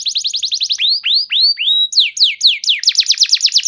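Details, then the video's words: Canary song meant to draw other canaries into singing: a fast series of down-slurred notes, slow rising whistled swoops, then loud rapid descending notes repeated in a steady run. "Pancingan Burung Kenari Macet Bunyi! Ampuh Bikin Kenari Lain Langsung Respon Terpancing bakal Gacor"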